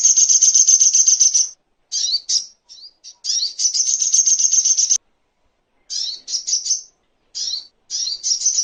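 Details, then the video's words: Little spiderhunter (sogok ontong) song used as a tutor recording for songbirds: long high buzzing trills alternating with short sharp downslurred chips in bursts, clean background. "Masteran Songon(Burung Sogok Ontong)isian Terbaik"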